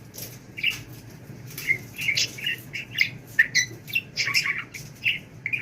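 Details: Budgie chatter during talk training: a steady stream of squeaky, buzzy syllables and short whistles, clustered irregularly, against a faint indoor hum.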